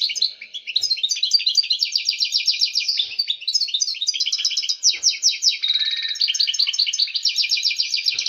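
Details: Long run of excited European goldfinch song intended to stimulate breeding hens: continuous high, liquid twittering and quick chirp series, with a steady buzzy trill and a soft lower whistle late in the phrase.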